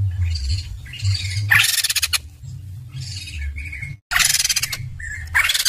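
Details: White-crested laughingthrush, known locally as poksay jambul, giving loud harsh rattling bursts and chattering phrases with short whistled notes between, over a steady low background hum.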